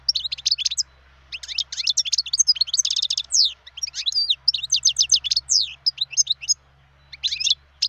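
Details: A wild European goldfinch pours out a long continuous twittering song of mixed chirps, slurred whistles and trills, with a low steady hum in the background.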